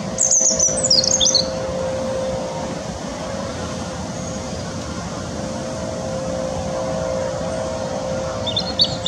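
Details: European robin (Erithacus rubecula) singing at Teddington Lock, UK, in wind: a high, thin, tumbling phrase, a pause, then another beginning, over a steady roar of rushing water and a low hum.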